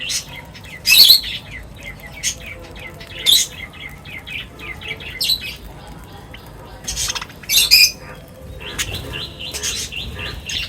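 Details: Various birds gathering at feeding time give scattered high chirps and twittering, with loud sharp calls near one, three and eight seconds over a quiet background.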